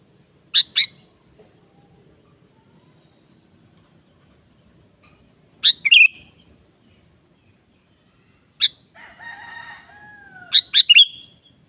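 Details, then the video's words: Lively 'gacor' song of a Sooty-headed bulbul, played to provoke a kept bird into singing: paired sharp chirps and bubbly phrases spaced several seconds apart, with a drawn-out crowing sound in the background near the end. "suara burung kutilang gacor"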